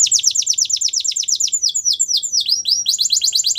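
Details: Canary training song with a very fast rolling trill of descending notes, a few slower V-shaped swoops, and a return to the quick rolling trill.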